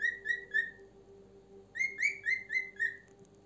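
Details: Pet cockatiel giving a run of loud whistled notes, three evenly spaced notes then a pause and five more, each slightly falling, with a steady low hum behind.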